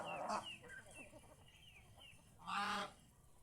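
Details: Geese kept at home, enjoying the fields around the house; a short honk opens and a loud, harsh, harmonic honk comes near the end, with thin high downslurred peeps from other birds scattered between.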